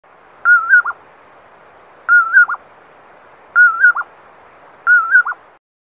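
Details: Common poorwill (Phalaenoptilus nuttallii) gives four clear whistled "poor-will-ip" calls, about one every one and a half seconds, each a level whistle with a quick lower ending, over quiet background hiss.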